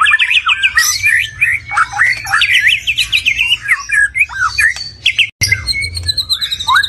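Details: Song of a stone magpie, fast warbled whistles tumbling up and down in quick succession, with scratchy high notes layered over them and a brief break near the end.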